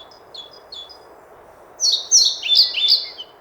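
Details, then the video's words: A singing European pied flycatcher gives three faint high chips, then a quick run of sweet, high, slightly buzzy phrases lasting under two seconds, over steady low background noise. "Мухоловка-пеструшка поёт"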